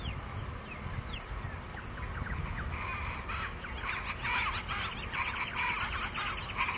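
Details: Wattled jacanas (Jacana j. jacana) at Porto Jofre, Pantanal, Brazil, on 27 September 2013 give harsh, squeaky chattering calls in quick uneven bursts, several notes a second, over a steady low rumble of wind.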